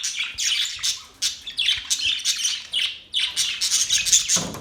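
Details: Budgies chattering with sharp high chirps and squawky warbled notes, uneven bursts roughly every half second, a brief lower rasp at the end.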